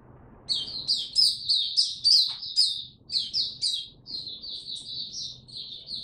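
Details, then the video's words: Caged Singapore white-eye on 31 July 2023, back in song: after a quiet start, a stream of shrill twittering notes, fast and uneven, fading slightly toward the end, with low background hum throughout. "Singapore Mata Puteh Buka Sing"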